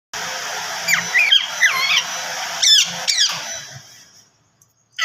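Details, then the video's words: Pet Indian ringneck parakeet trying to talk with its owner indoors: a few squeaky, sliding chirps and quick rising-falling whistled notes over about four seconds, then quiet. "my parrot try to talking with me"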